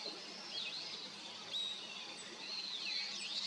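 A female Daurian redstart gives thin, high whistled notes that slur up and down, in a few short bouts against a steady background hiss.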